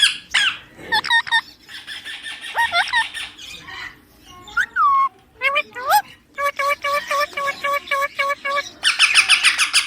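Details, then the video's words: Pet baby Indian ringneck parakeet, said to be talking, gives a varied string of whistled, voice-like and squawking notes, including a repeated chopped phrase, ending in harsh rapid squawks. "Talking parrot video"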